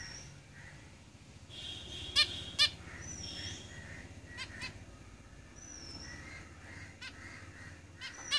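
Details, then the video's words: Zebra finches singing in a cage: bursts of nasal honks, a busy twittering phrase, and rising thin whistles crowd together as several birds call. "Zebra Finches Singing in the cage"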